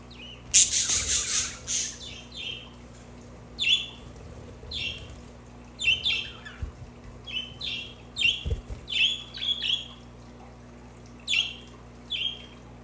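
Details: Budgerigars chattering for pet budgies to hear: a busy, near-continuous stream of quick chirps and squeaky warbled notes, with a loud burst near the start and a few soft thumps, over a low hum.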